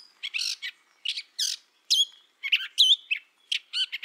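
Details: A Gray Catbird, a mimic that copies neighbouring birds, sings a jumbled run of short squeaky, scratchy and whistled phrases, each different, tumbling out about once a second with brief pauses.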